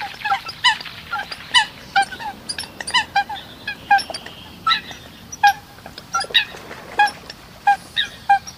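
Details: Eurasian coot calls: single nasal honks and short clipped notes repeating roughly every half second, with fainter overlapping calls from other birds in the background.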